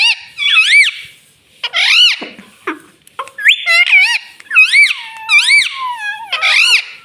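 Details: A talking pet parrot, said to say "Mitthu Mitthu" and "Mummy Mummy", gives loud, repeated, arched harmonic syllables in quick speech-like phrases, several sounding alike, with brief lower rasps between them.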